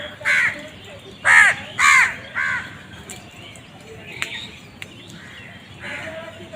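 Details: Loud hoarse caws from crows fighting for food, four strong calls in quick succession followed by fainter distant cawing.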